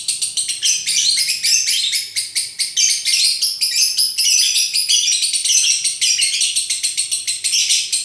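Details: Lovebird in konslet song, a long rapid torrent of shrill, grating chirps with slight swells in loudness, nearly continuous throughout, with faint low hum in the background.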